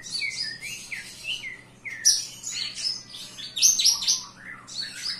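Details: Javan bush lark singing indoors, a lively varied song of high chirps, buzzy bursts and short whistled slurs, some notes sliding down, delivered in quick uneven phrases with a faint low hum beneath.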